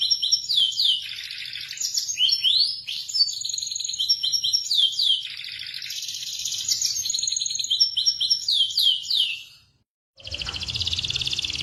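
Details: Local Indonesian canary delivering a lively song of repeated downslurred whistles mixed with fast buzzy trills, about four notes a second, cut by a short silence near ten seconds before a rougher trill resumes.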